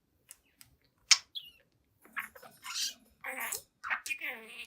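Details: Seven-month-old pet budgie talking before a mirror: a sharp click, then scratchy, mumbling chatter and buzzy warbled notes that rise and fall, sounding like muttered talking.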